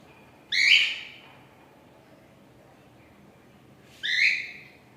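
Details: A cockatiel, among gray and lutino cockatiels, gives two loud, harsh, rising screeches about three seconds apart.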